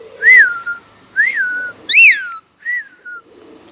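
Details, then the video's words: Indian ringneck parakeet kept as a pet, described as talking in Urdu/Hindi: three smooth whistled up-and-down notes, then one loud harsh screech and a final short whistle, within a few seconds. "talking parrot🦜 | Indian ring Nike Mitthu | cute parrot sound | voice urdu/hindi"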